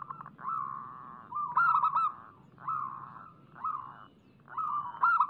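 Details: Lure song of local zebra doves. Overlapping purring coos and sharp stuttering clusters recur, with a faint low hum beneath.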